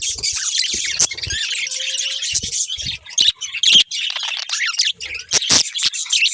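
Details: Budgerigar breeding pair in busy high warbling chatter with harsh squawky notes, sharp clicks and one short low hum in the background.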